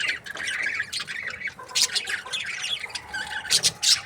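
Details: Breeding pairs of budgies in an aviary: constant overlapping chirps and warbling chatter, with sharper squawks standing out near the middle and near the end.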